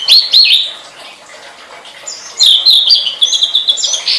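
A blue flycatcher sings high, sweet warbling phrases of quick twitters and slurred notes, with a short pause midway before a longer, fuller burst.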